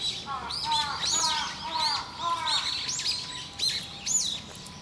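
Eyebrowed thrush: a busy run of thin, high chirps and short arched squeaky notes, several each second, overlapping as if from more than one bird, over faint outdoor hiss.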